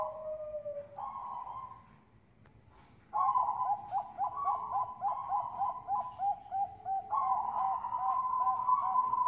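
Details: Bangkok-type zebra dove from a breeding farm in Bekasi, West Java, Indonesia, sung as a lure to set other doves singing: two long steady coos, a pause, then a fast run of bubbling, evenly pulsed coo notes ending in a sustained coo.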